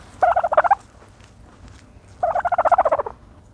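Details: Dust-bathing turkey gobbles twice, each a loud burst of rapid pulsing notes, the second longer with around fifteen pulses, separated by a quiet gap of about a second and a half.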